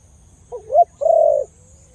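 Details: Khmer dove with a big sound gives one cooing phrase: a faint hoot, then a sharper lifting note, then a long, full, steady coo fading into a quiet tail.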